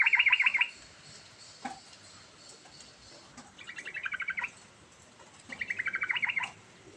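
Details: Sooty-headed bulbul (trucukan) in full varied song, played as a lure to start a bulbul that has stopped singing; rapid gurgling trilled phrases come in three bursts about two seconds apart, with a few soft knocks in the quiet gaps.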